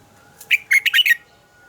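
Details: Morning song of a red-whiskered bulbul, called a double-note forest-matured song and meant for voice training. One quick phrase of about five rich, slurred whistled notes, loud and clear against a faint steady tone.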